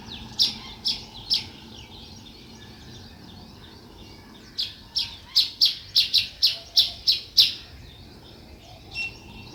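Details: Sparrow chirping in a natural setting: short bright chirps, three spaced notes, then a quick run of about eight loud repeated chirps and one softer final note, over faint low background noise.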